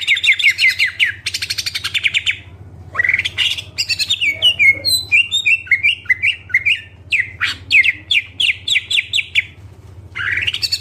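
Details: Greater green leafbird in energetic full-isian song, a dense run of quick downslurred whistles, a brief pause, then a long varied sequence of chirps and buzzy notes over a constant low hum.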